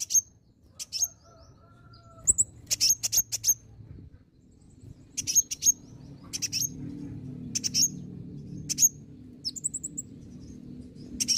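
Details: Olive-backed sunbird in green plumage, lively lure song to draw responses: scattered high, needle-thin chirps and short whistled notes repeated irregularly over about eleven seconds, with soft low background noise.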